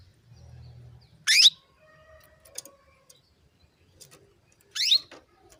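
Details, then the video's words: Female canary calling to prompt males to sing, giving two sharp, high, rising chirps spaced about three and a half seconds apart, with faint clicks and soft background noise between them. "PANCINGAN KENARI BETINA MEMANGGIL JANTAN"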